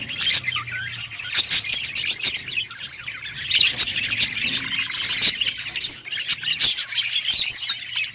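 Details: Many budgerigars chattering together in an outdoor colony, a steady wash of high, sharp chirps and squeaky twitters that rise and fall in loudness throughout.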